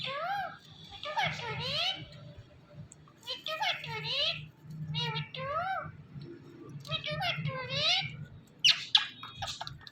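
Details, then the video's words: Indian ringneck (rose-ringed) parakeet, a pet green talking parrot, calling "Mithu Mithu": a short two-syllable word repeated about five times over ten seconds in a high, raspy, speech-like voice, over a low indoor hum. "Indian Ringneck Parrot Calling Mithu Mithu"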